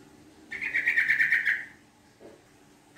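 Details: Long, rapid chattering burst from a Yellow-vented bulbul used as a lure: over a second of fast, evenly pulsed harsh notes, then quiet and a faint note at the end.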